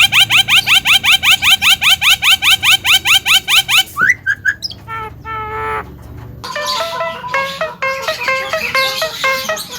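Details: Javan myna, a bird described as able to speak, repeats a sharp rising note about twice per second for four seconds, then switches to harmonic whistles and a jumbled series of stepped chirps.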